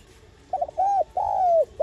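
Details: Lure cooing of a spotted dove, played to spur newly caught decoy birds into calling: a quick stuttered pair of notes, then two long, smooth, arched coos in a row.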